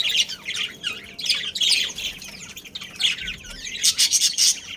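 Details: Budgerigars of a breeding pair and family produce dense, buzzy twittering and warbled chirps that swell and fade, ending in a run of harsher, grating notes.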